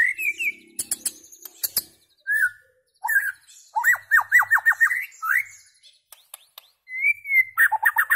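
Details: White-rumped shama song of whistled phrases and rapid series of sharp downslurred notes, broken by clicking sounds and short silences.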